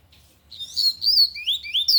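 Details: Loud Tui Tui song of a lined seedeater, a rapid burst of bright whistled notes that climb and swoop, the last notes sliding upward in quick succession over an otherwise quiet background.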